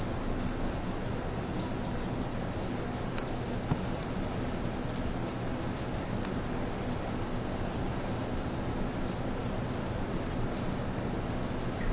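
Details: Steady broadband hiss, like rain or rushing water, with no animal voices.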